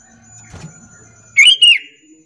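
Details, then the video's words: Lure call of a sooty-headed bulbul meant to prompt other bulbuls to call back: a single quick pair of bright, bubbly chirps following a brief low knock, over a faint steady whine. "Pancingan Kutilang biar bunyi gacor sahut sahutan"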